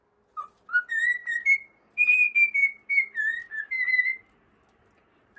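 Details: Cockatiel whistling a tune: a run of pure, sustained notes stepping upward and then wavering, about a dozen phrases over four seconds, in a quiet room.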